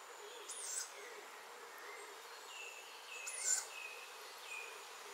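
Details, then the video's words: Young tawny owl at Nettleton, Lincolnshire: two short, harsh, hissing shrieks about three seconds apart, high and wheezy, over a low background of faint distant bird chirps. "Tawny owlet Nettleton Lincolnshire"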